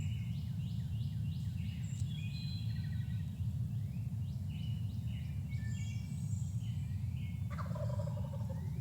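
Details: Wild turkey recorded at 5:26 in the morning: a rapid, descending gobble rattles out near the end, after thin whistled phrases from a cardinal, wood thrush and possibly a robin or song sparrow, over a steady low rumble.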